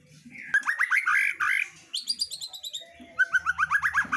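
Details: A female white-rumped shama in lively, nonstop song: rich warbled notes, a high chattering series, then a fast run of repeated upslurred whistles.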